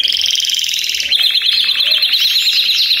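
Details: Belgian canaries singing together in a chorus: dense, fast metallic trills held around a high pitch. A lower rolling trill takes over after one second, with overlapping rattles above.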